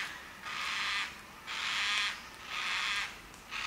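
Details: Loud, prolonged wailing cries of a white-tailed black cockatoo, Lane Poole Reserve forest, Western Australia, each lasting about half a second and repeated about once per second.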